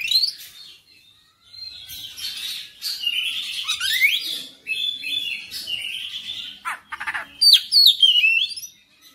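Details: Singing oriental magpie-robin, vigorous and nonstop, running through its full repertoire: scratchy chatter, rising and falling whistled slurs, buzzy bursts, and a final series of clear descending whistles.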